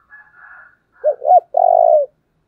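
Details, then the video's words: Spotted dove calling as a decoy to lure and provoke wild doves: faint hoarse notes first, then two short bending coos and a long, vibrating, steady final coo. "Cu mồi thúc vầy chịu gì nổi"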